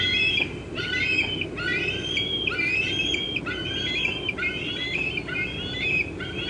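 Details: Eaglet of a bald eagle pair squeeing in late afternoon on June 25, 2013, while an adult eats a fish nearby; a run of short stepped whistles with harmonics, repeated about twice per second, against low background hum.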